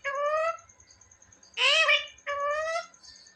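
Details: Pet parrot talking, said to say "mummy" and "papa": two drawn-out, voice-like syllables with rich harmonics, the second harsher and rising. A faint steady high whine sits in the background.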